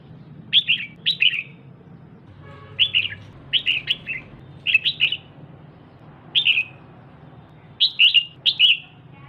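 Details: ['Caged female red-whiskered bulbul calling freely to stimulate a male: quick clusters of two or three bright, slurred chirps tumbling downward, repeated irregularly over a low background rumble.']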